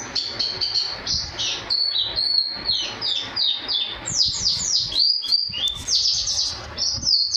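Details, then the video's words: White-eye with canary phrases in its song, a national champion known for its loud voice: high, clipped whistles and slurred sweeps tumble together, then a burst of rapid falling notes. "Burung pleci suara gledek"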